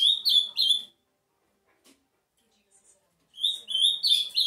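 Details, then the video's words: Two brief bursts of Ultramarine grosbeak song, quick sweet whistled notes at the start and again near the end, separated by a long silent gap. "Azulão bike"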